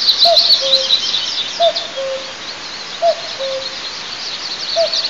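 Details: Common cuckoo at an eagle nest in a 20 m pine in south-eastern Tatarstan, 9 May 2024, calling its falling two-note cu-coo about every 1.5 seconds while the eaglet sleeps, over a dense high-pitched chorus of birds or insects.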